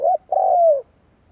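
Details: A single coo phrase from a decoy spotted dove used to provoke rival birds: brief low note, short gap, then a sustained hollow coo falling in pitch at the end.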